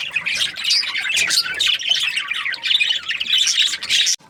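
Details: Budgerigars described as happy keep up a steady stream of rapid, high chirps and raspy warbling from several birds at once, ending in a brief pause.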